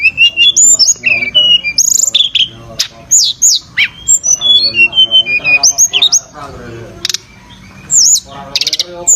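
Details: Tledekan (Javan sunbird) sings rapid, varied, high chirps and whistled slides in dense bursts, with some harsh buzzy notes among them.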